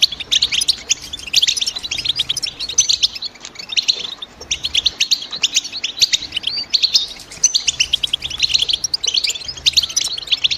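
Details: European goldfinch calls: rapid, high, tinkling chirps grouped into rolling bursts roughly every two seconds, several birds twittering together over a quiet background.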